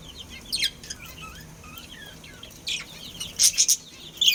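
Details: Breeding pair of budgerigars: a few soft warbled chirps early, then louder sharp bursty chirps toward the end, with quiet gaps between.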